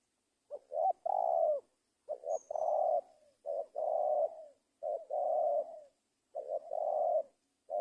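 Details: Spotted dove giving mellow repeated coo phrases, each a quick double note followed by a drawn-out throaty coo, with brief silent gaps between phrases and a clean, quiet background.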